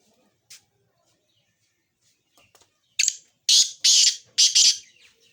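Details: Sindhi 'sheedi' black francolin, described as a good fighting line: faint ticks, then a sudden burst of harsh, grating, high-pitched notes, with two paired rasping phrases near the end.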